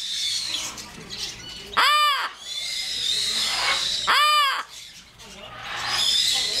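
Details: A pet yellow-naped amazon gives two loud, harsh, rich-toned caws about two seconds apart, each arching up then down, over steady background hiss and chatter.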